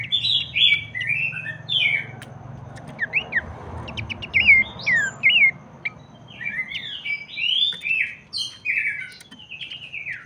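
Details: Abbott's babbler singing, used to spur other babblers into song: scattered sharp slurred whistles and rising-falling chirps in loose bursts with brief pauses, a faint low rumble beneath.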